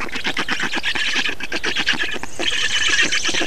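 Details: In Estonia on 2 June 2019, feeding black storks give rapid, rough, squealing calls in overlapping bursts, ending in a more drawn-out wheezy note.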